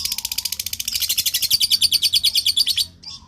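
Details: Lovebird call to prompt answering lovebirds: a fast, even run of high buzzy chattering notes, about three per second per beat, lasting nearly three seconds, then a short chirp.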